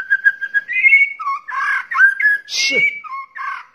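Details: White-rumped shama calling, male and female, used as a lure: clear whistled notes, some held and rising, others short and repeated, broken by a harsh rasping burst.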